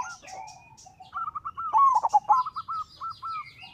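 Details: Zebra dove song used as a lure for other doves: a string of quick arched cooing notes rising into a louder rolling burst, then more spaced coos, with high chirps at the start.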